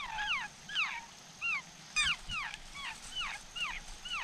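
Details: Wild laughingthrushes at their nest, caring for chicks in the rain. A steady series of clear, whistled, downslurred notes repeats about twice a second over a soft background hiss.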